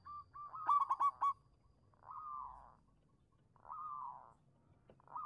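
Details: Local zebra dove (perkutut) singing in full performing style, used as a lure to prompt silent doves to sing: low mellow cooing phrases near one pitch, one opening with a quick staccato burst of clipped notes, then two drawn-out purring coos.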